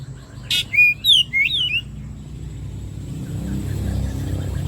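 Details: Oriental magpie-robin song meant as bait to prompt singing: a brief harsh note followed by a bright phrase of whistled rising and falling slurs, then a low steady background hum.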